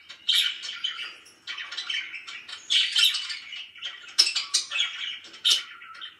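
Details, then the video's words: Pet budgies in a happy mood, chirping in separate bursts of scratchy chatter and a few sharp high squeaks, with short silences between. "VERY HAPPY BIRDS #chirpingbirds #budgie"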